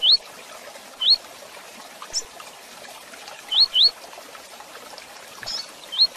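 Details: Rusty-collared seedeater used for training and breeding, giving sparse rising whistled notes, single or paired, every second or so, with a soft hiss behind.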